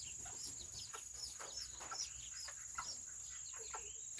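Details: Small Serama chickens on a rainy Saturday make scattered high, squeaky chirps and little clucks at an uneven pace, some notes bending upward, over a continuous shrill background hum.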